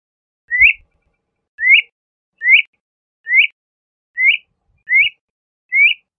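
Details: LeConte's thrasher repeating a sharp, upslurred whistle about seven times in six seconds, each note short and alike, with a couple of faint low knocks behind.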